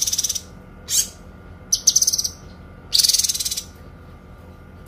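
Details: Songbird tutor recording of a Kinoi: short, very high, buzzy pulsed bursts of varying length, including a longer rattling trill near the end, separated by gaps of quiet background hum.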